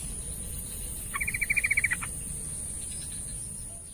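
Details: Song of a yellow-vented bulbul, intended as therapy for a bird that sings little: a single brisk burst of rapid, evenly spaced chattering notes, swelling then stopping abruptly, over soft steady hiss.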